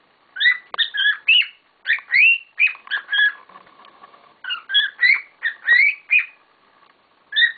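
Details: Several household cockatiels making a racket, with a steady stream of bright, rasping chirps and upslurred whistles repeated quickly, broken by one brief lull midway.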